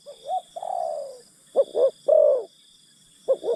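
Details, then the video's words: Spotted dove used as a decoy to lure wild forest birds, giving soft hollow coos: short paired notes, then a longer falling coo, repeated with pauses between phrases. "Pikat Terkukur Aksi denak memujuk burung hutan"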